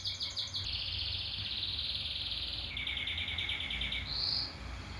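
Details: Canary song with long rapid buzzy trills held at one pitch, dropping to a lower trill partway, then a brief bright high note.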